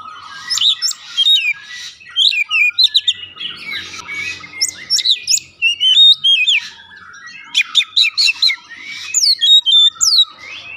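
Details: Song of an Oriental magpie-robin played as a lure to start a bird singing: irregular bursts of high sharp notes, descending slurs and chattering phrases separated by brief pauses.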